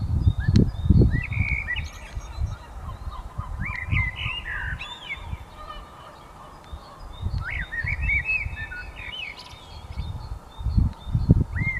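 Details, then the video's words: Birds singing at dawn: several high chirped and whistled phrases, some rising and some falling, scattered through the recording over loud, repeated low thumping noise. "Пение птиц на рассвете"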